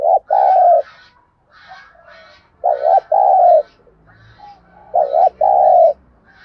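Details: Thúc gù coos of a spotted dove, used as a lure to trap birds: three loud two-part low phrases about every 2.5 seconds, with scattered high chirps from other birds in the background.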